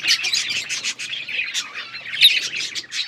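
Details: Pet budgerigars, Australian parrots, chirping in a dense chorus of rapid, scratchy, high chirps and warbles, overlapping continuously without pause.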